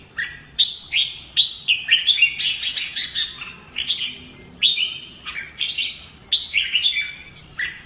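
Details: Red-whiskered bulbul kept in a cage for fighting-song practice delivers rapid repeated whistled phrases, about one per second, with a harsher, noisier burst in the middle, then returns to clear sliding notes.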